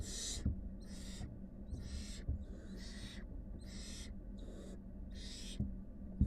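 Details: Barn owl chicks in a wild brood of five hiss in loud noisy bursts roughly every 0.7 seconds; a few faint knocks and a continuous low hum sit underneath.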